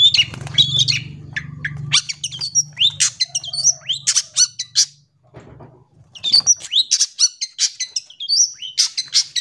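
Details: Long-tailed shrike song used as a lure and tutor for young shrikes: a dense, rapid jumble of sharp chirps, squeaky whistles and harsh notes, a brief pause midway, then renewed chattering over a faint low hum at the start.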